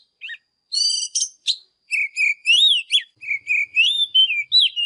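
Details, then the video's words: Young caged Oriental magpie-robin in morning song, a fiery trained performance: clear whistles with stacked harmonic-rich notes, then a string of slurred, rising and falling whistled phrases delivered about twice a second, loud and clean. "Chòe than ĐẠT LỬA HÓT MÚA ĐẲNG CẤP || Kích chòe than HÓT SÁNG"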